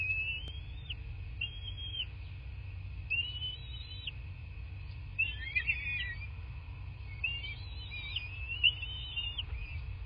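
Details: Bald eagles at a nest in a quiet landscape in southwest Florida, picked up by a nest camera on 8 March 2024 around 11:00; several thin, high whistled notes, some rising, arrive in loose bursts over a steady electronic hum and low rumble.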